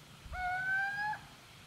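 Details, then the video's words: Single call of a little owl in Gmina Podedwórze, Poland, 2 November 2018: a loud, clear whistled note lasting under a second, gently rising in pitch and ending abruptly, with faint low rumble underneath. "Pójdźka / Little Owl / Athene noctua"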